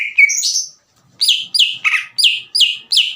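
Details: Greater green leafbird in aggressive loud song, challenging another bird: a brief rasping phrase, a pause, then six sharp downslurred whistled notes repeated rapidly about three per second.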